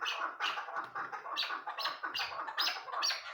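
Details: Female Chukar partridge calling with loud, grating, gargled notes in short clusters, rough and uneven in rhythm.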